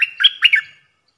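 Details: Stripe-throated bulbul singing as a trapping lure: a brief, lively phrase of four loud, bubbling notes that rise and fall quickly, then die away.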